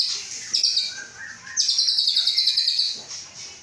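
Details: Caged White-rumped shama of Aceh stock, hatched 23 August 2012, readied for a breeding cage. Sharp high whistles, then a long run of rapid buzzy repeated notes lasting over a second, then softer trills.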